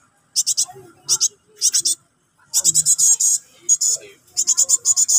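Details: Nyerecet begging of a cinereous tit nestling calling its parent: grating hiss-like notes in pairs and triplets, then a longer run of about nine rasps, with faint background murmur.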